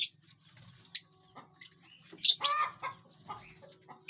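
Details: Several lovebirds in a big aviary during feeding and flight; high piercing chirps come irregularly, with a dense burst of overlapping squeaky calls midway and rustling, flapping sounds throughout.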